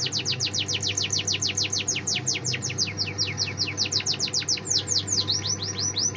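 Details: Canary in song, delivering a continuous rapid series of steep downward-sweeping whistled notes for six seconds, the rhythm loosening toward the end, over a steady low hum.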